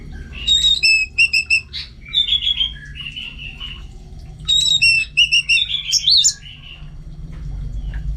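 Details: Orange-headed thrush kept at home, belting out repeated phrases of clear, ringing whistled notes in quick sets of four or five, interspersed with short warbles, the phrase returning twice.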